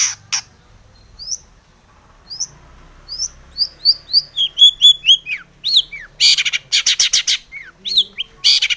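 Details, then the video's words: Long-tailed shrike pouring out varied song, played to make other shrikes sing: scattered thin upslurred whistles build into a dense run of high chirps, broken by loud harsh raspy bursts. "SUARA cendet gacor ARECARE pancingan cendet agar bunyi EMOSI"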